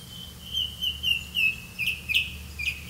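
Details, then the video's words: Grey-capped greenfinch catching crickets to feed its young: a series of short, bright chirps around a steady high pitch, some with sharp upward flicks, spaced roughly every quarter to half second over a faint low hum. "Grey-capped greenfinch Birds, Catch a Crickets for your child to eat"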